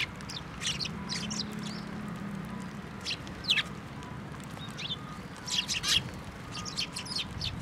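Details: Several sparrows arriving at a bench for food at a Tenmangu shrine on 14 November 2023, giving brief bright chirps, some doubled, scattered irregularly through the clip against a constant low background hum.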